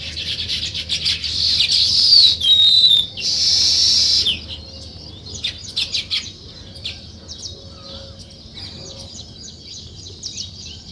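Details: Sparrows chirping at morning: loud busy chatter and sharp chirps for the first four seconds, then only scattered faint twitters.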